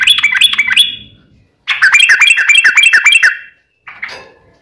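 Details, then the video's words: Sooty-headed bulbul in fighting song, meant to make other bulbuls answer at once; quick rattling trill, a pause, then a longer rapid chattering burst and one harsh note. "KICAU SUARA trucukan gacor TARUNG ROPEL PANJANG ampuh MENJADIKAN burung trucuk gacor NYAUT SEKETIKA"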